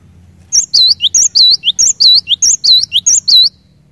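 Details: A cinereous tit sings vigorously, a song said to rouse others of its species into singing: a fast series of shrill whistled notes alternating high and low, roughly fifteen notes over three seconds, over a faint low hum.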